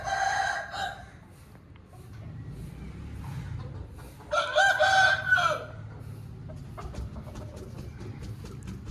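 An Aseel rooster crows twice, each a hoarse, strained call, over a low background rumble.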